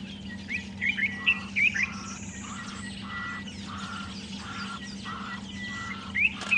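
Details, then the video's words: Bulbul, black-headed or yellow-vented, alarming late at a young African rock python in a tree of weaver nests at sunrise; short sharp chirps in a quick irregular burst, then a run of repeated buzzy notes and a low hum. "So he's obviously just arrived and realized, oh, there's a snake, and he's putting out the alarm now."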